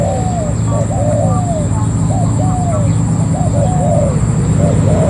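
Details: Ground decoy spotted dove, caught from the wild, delivers a fast run of soft hollow coos, arched and downslurred notes close together, over constant low engine-like rumble and a thin high tone.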